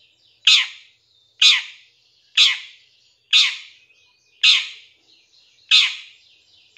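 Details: Long-tailed shrike in a lure training recording with 'shot' style fill: loud, harsh, rasping notes about once a second, seven in total, with faint thin whistles between them.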